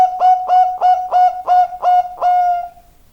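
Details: Energetic zebra dove song closing out: seven throaty, vibrating coo notes in quick regular succession, the last drawn out and fading into silence.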